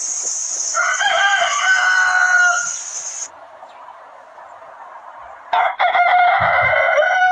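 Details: Rooster crowing on a chicken farm: a long harmonic cock-a-doodle-doo lasting about two and a half seconds, a quiet pause, then a second rooster starting another loud crow near the end.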